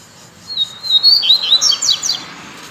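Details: A captive coleiro (Double-collared Seedeater), singing again after moult was expected, gives a 'puxada' phrase to excite other birds. It is a single rapid phrase of sharp, high, descending twitters and trills lasting under two seconds.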